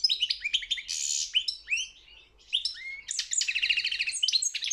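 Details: European goldfinch in a world song championship: quick sweeping tweets and a harsh buzzy burst, a brief lull, then rising whistled notes leading into a fast rattling trill.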